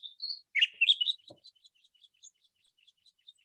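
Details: Song thrush singing at about 5 a.m. in pitch darkness, its song loud and persistent: a short, loud phrase of bright, rapid whistled notes, then trailing off into faint, scattered high chirps.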